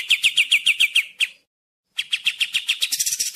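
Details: Sooty-headed bulbul (kapas tembak) delivering quick, evenly spaced high chirps, about four per second, which stop for half a second and then resume in a denser, brighter run. The recording is clean, with no background sounds.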